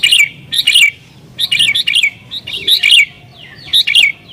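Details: Fiercely excited sooty-headed bulbul, its song pressing a rival: loud, bright chirp clusters in quick paired bursts roughly every half second to second, over a quiet background.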